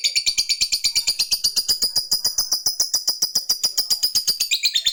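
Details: Lovebird in top form delivering the long ngekek chatter to call a rival: a continuous, very fast, evenly pulsed high buzzy trill that holds steady throughout, then drops slightly in pitch at the close.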